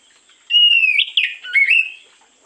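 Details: Oriental magpie-robin (kacer), morning lure song: a brief burst of about a second and a half, a level whistle breaking into rapid warbled notes and then a rising slurred whistle, loud against a quiet background.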